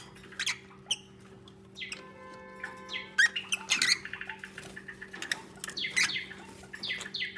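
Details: Lovebirds communicating while bonding and building their nest: busy twittering of sharp chirps and short tonal notes with ringing harmonics, rising toward a denser chatter, with a constant faint low hum beneath.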